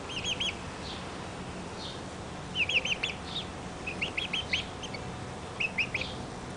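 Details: One-month-old Barred Plymouth Rock chicks uttering short groups of three or four quick high peeps, separated by quiet gaps, over a steady low background hum.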